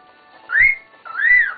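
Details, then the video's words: Brady, a pet male cockatiel indoors, gives a wolf whistle: two clear whistled notes, each swooping up then easing down, the second longer, over a faint steady indoor hum; he stopped talking once the camera turned on. "wolf whistling"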